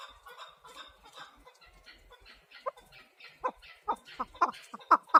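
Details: Chukar partridge calling: a series of short, harsh chuck notes that begins soft and sparse, then grows louder and quicker toward the end.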